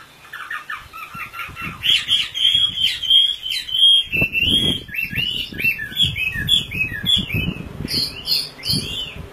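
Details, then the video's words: Oriental magpie-robin, described as a local mini type and including a female calling a male, in a compilation of lively songs: a rich, varied run of whistled and warbled phrases with slurred rising and falling notes, some low thumping in the background. "kompilasi suara wambi gacor komplit"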